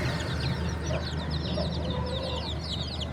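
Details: Baby chickens chirping: many chicks give thin, high peeping notes, short and overlapping in a constant busy chatter, over a steady low hum and background noise.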